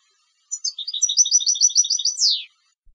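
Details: Competition European goldfinch singing: a rapid tinkling phrase of paired chirps alternating high and low, run into a fast trill and ending in a sharp descending buzzy sweep; otherwise quiet.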